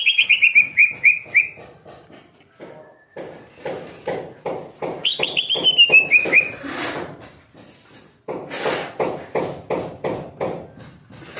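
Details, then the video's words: Over-aroused (OB) greater green leafbird giving two bursts of rapid, descending whistled notes, each run about a second long, set against steady rhythmic clicking or tapping throughout, with a loud rustle between phrases. "cucak ijo OB"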